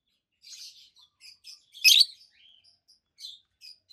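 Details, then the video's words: Two healthy adult peach-faced lovebirds, both green, one red-faced and one white-faced, keep up busy high twittering chirps, broken by one loud, grating shriek near the middle. "Lovebirds Sounds - Peach-faced Lovebird"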